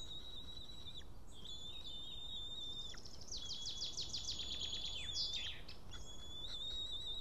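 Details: Male White-tailed eagle at his nest in Estonia on 8 June 2018, returned after ringing with a fish he then lost; long level whistles alternate with a rapid burst of about ten clipped yelping notes.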